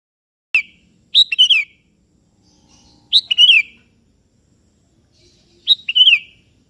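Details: Sooty-headed bulbul of the 'kebo' type, singing vigorously to call a rival that answers: three short, bubbly whistled phrases, each a sharp note then a quick warbled slur, spaced about two and a half seconds apart.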